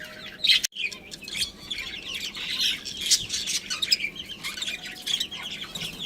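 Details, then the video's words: Pet budgerigars, a breeding pair, warbling steadily with soft high twitters and chirps, one loud sharp click near the start, then continuous murmuring chatter. "Cute Budgies Chirping Sounds"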